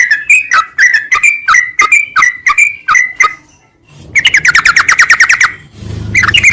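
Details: Sooty-headed bulbul song of bouncy whistled phrases repeated steadily for about three seconds, followed by a fast, buzzy run of rapid trilled notes and a low rumble near the end.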